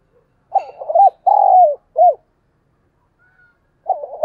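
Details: Spotted dove, a lure bird, cooing and calling at dawn for training pet birds; loud low hollow coos with a wavering quality, three in quick succession, a pause, then another starting.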